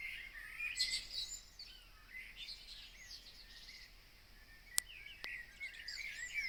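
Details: Wild birds singing at 03:30 outside Copenhagen on 22 June 2026; several high chirps, short trills and whistled phrases scattered through, two sharp clicks midway, steady background hiss.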